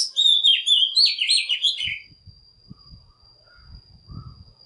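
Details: Oriental magpie-robin song used as a lure to call wild birds and provoke singing, also for training young birds: a rapid run of loud, varied whistled notes lasting about two seconds over a steady high tone, then quiet low rustling.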